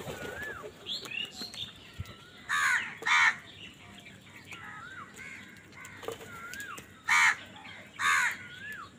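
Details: Crows fighting wild birds for food: several coarse, loud caws in pairs, spaced through the recording, interleaved with looping whistled calls from other birds.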